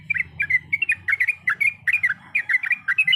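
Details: Sooty-headed bulbul, a female calling a male, chattering in lively clusters of two or three bubbly, slightly squeaky notes, with short pauses between bursts, over a faint low hum.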